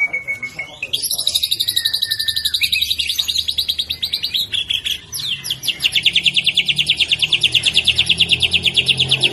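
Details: Young caged white-rumped shama delivering a long rapid rattling trill, high and evenly pulsed, after a few whistled notes, with low background hum.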